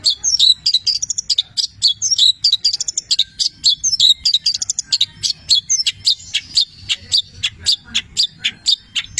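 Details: Long-tailed shrike in lively 'petir' style song with a fill of mimicked labet and canary phrases: rapid, varied, high chattering and twittering notes in dense bursts, later breaking into evenly spaced sharp chips, over a faint low hum.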